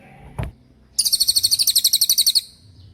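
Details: Cililin tembakan song for songbird training. One knock is heard, then a dense, very rapid series of sharp high notes lasts about one and a half seconds.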